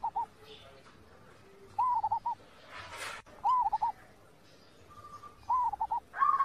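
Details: Zebra dove (perkutut) master song for training birds: short arched cooing notes in clusters of three or four, repeated about every one and a half seconds, with a brief burst of hissing noise midway.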